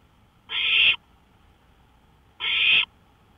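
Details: Owl at night on a porch, May 5, 2013, 1:53 AM: a pair of rough, wheezy hissing screeches, each lasting about half a second and roughly two seconds apart.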